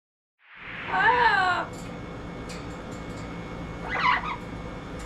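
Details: Captive double yellow-headed amazon, a rescued pet parrot over 36 years old, tasting peaches indoors. It gives a loud, wavering, harmonic cry lasting under a second, then a shorter squawk, over steady room hum.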